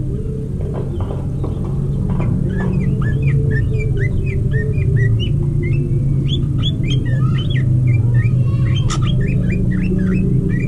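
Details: Greater green leafbird kept for breeding, mating: a busy run of short whistled chirps and upward-flicking notes, several each second and irregular, over a constant low rumbling hum.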